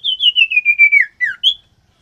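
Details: Common iora in captivity, male and female kept for pairing and egg laying: a fast string of pulsed whistles gently descending, then two slurred downward whistles and a high closing note.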